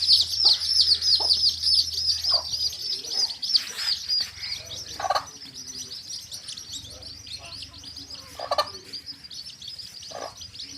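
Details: Coloured baby chicks beside a hen in a field, chirping rapidly in shrill falling peeps that are loud in the first seconds and then fade into a quieter scattered chorus with occasional low clucks and rustling.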